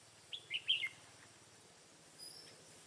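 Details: Red-whiskered bulbul singing as a trapping decoy in the mountain forest of Hòa Bình on 5 February 2017: a short, loud phrase of four bright, bubbling, slurred whistles, then quiet with faint distant notes.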